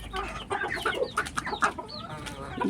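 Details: Backyard chickens clucking while being fed leaves as a midday snack, a dense run of short broken clucks and murmurs with rustling throughout and a brief human voice near the end.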